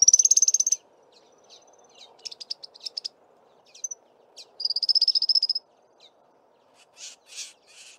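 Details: An African firefinch opens with a fast, bright trill, follows with short ticking notes, and gives a second long rapid trill before ending with a few rough, scratchy bursts.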